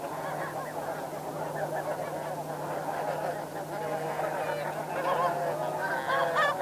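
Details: Snow geese in flight at Chincoteague, Virginia, United States, a dense chorus of overlapping honking flight calls from a large flock, steady and continuous, with clearer nasal honks emerging toward the end.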